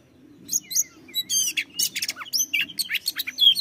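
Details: Oriental magpie-robin singing, meant to prompt other birds to sing; after a quiet start come high whistled notes, clicks and scratchy buzzes in a fast, jumbled sequence, low hum underneath.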